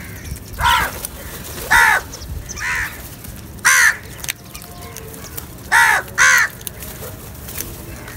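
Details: A group of crows feeding together: rasping caws come singly and in close pairs, loud bursts spaced one to two seconds apart over a quiet background.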